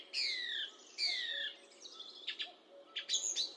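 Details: Song thrush singing two long, slurred whistles that fall in pitch, one after the other, followed by softer, scratchy clicking notes and a short bright closing figure.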